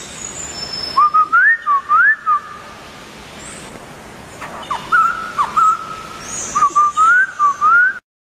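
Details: Singing laughingthrush gives two bursts of rising whistled slurs separated by a pause, the second burst ending in a long climbing whistle; faint higher chirps in the background.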